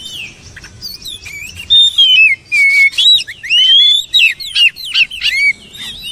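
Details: Oriental magpie-robin pouring out varied song, loud swooping whistles and sharp chirps in quick succession, about two notes a second, with short gaps between phrases.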